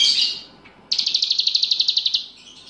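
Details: Grey-bellied bulbul singing with learned cicilin song: a loud buzzy high note fading, a short gap, then a brisk even trill of about fifteen sharp high notes ending in soft twitters.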